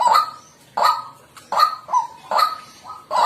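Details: A short burst from a white-breasted waterhen: four or five coarse, honking croaks with clipped tonal endings, delivered at a brisk, slightly uneven pace.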